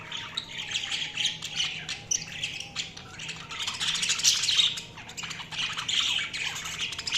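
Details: Budgerigars give a continuous flock chatter of chirps, squawks and warbles, swelling louder in the second half, with a faint steady hum underneath.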